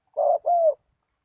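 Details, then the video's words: Single spotted dove phrase from a lure call for wild doves: a short buzzy coo followed straight away by a longer, smooth, slightly falling hoot, clean and low-pitched. "Chim cu gáy chiêu kích mồi tập bổi nhanh nổi hiệu quả"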